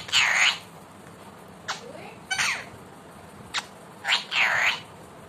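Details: Pet talking Indian ringneck parakeet letting out long, loud, scratchy screeches that dip and rise, interspersed with short sharp clicks and a softer sliding note.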